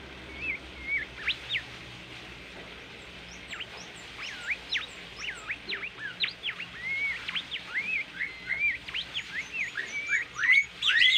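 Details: Bimoli bird's melodious, lively masteran training song: a long run of sharp, high whistled notes, many dropping quickly in pitch, some short rising slurs, quickening and growing louder toward the end over faint steady background hum.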